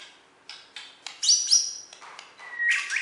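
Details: Champion Bornean white-rumped shama from West Kalimantan singing: scattered sharp notes, then a long high, thin whistle and a lower, steady whistle ending in a rough flourish, over a hissy, noisy background.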